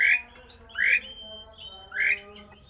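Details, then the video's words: Javan pied starling producing an unusual rare song to stir other starlings to sing: three loud rising, squawky notes about a second apart, linked by thin level whistles. "jalak uren suara aneh langka di jamin Jalak uren lain panas ikut gacor!!!!"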